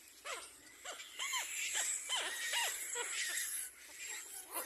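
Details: Little black cormorant attacking its own young: a rapid series of clear arched, down-curving calls, roughly two or three per second, then fading, set against a constant hiss of high raspy noise.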